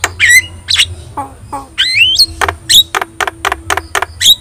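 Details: Training song from a yellow-eyed Javan myna: raspy squawks and upward-sliding whistles, then a string of short clipped calls, with a steady background hum.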